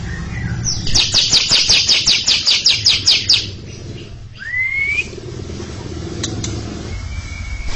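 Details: Greater green leafbird (cucak ijo) giving a long ngekek chatter near a stalled younger bird. A fast run of harsh, high, evenly spaced notes, then a quiet spell and a clear upslurred whistle, with a fainter whistle later.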